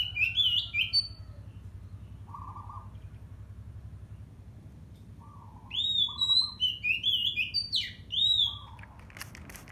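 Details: Oriental magpie-robin, a young bird in the taming process, giving short bright whistled phrases in bursts at the start and again after a pause, with lower flat tones between them and a steady low hum in the background.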